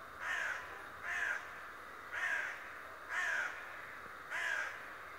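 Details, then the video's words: Talking raven, spying daily, calls five times in a steady series: coarse, slightly downslurred caws roughly one per second over low hiss. "Der sprechende Rabe der mich täglich ausspioniert"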